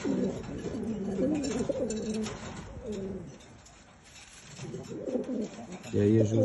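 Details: Homing pigeons wanting to mate coo in low, throaty, rolling phrases, several birds overlapping with a short lull midway; a soft human voice is heard briefly.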